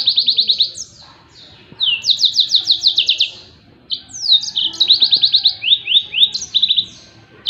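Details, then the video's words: Three bursts of high, rapid trilling from a yellow-fronted canary in tembakan style, meant for training other songbirds, with short silent gaps between the phrases. "SUARA TEMBAKAN BURUNG MOZAMBIK || COCOK BUAT MASTERAN"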